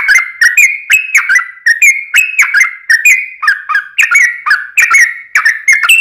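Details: Trucukan, the yellow-vented bulbul, singing a long rapid 'ropel panjang' song meant to provoke other bulbuls into answering: a steady run of short liquid whistles that step up and down slightly, roughly two to three per second.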